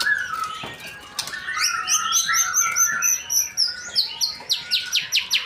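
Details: Male white-rumped shama in Indonesia singing buzzy warbles and high sweet whistles, ending in a rhythmic run of sharp downslurred notes repeated about twice a second.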